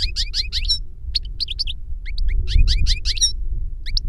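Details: An older goldfinch sings to teach a younger one: repeated twittering phrases of paired chirps, steady and rhythmic, in bursts separated by short pauses, with a continuous low rumble beneath.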